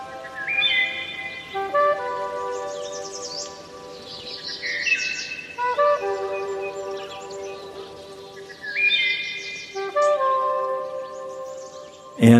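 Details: A male wood thrush, back in the same woods by a cottage over five years, sings his repeated signature song in C major: clear, flutelike phrases of a few pure rising notes ending in a rapid trill, every few seconds.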